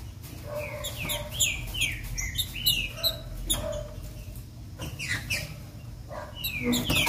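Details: Female green-winged saltator singing to stimulate a male to sing: a run of quick, falling slurred whistles repeated in uneven bursts, with sharp clicks and low background rumble between phrases.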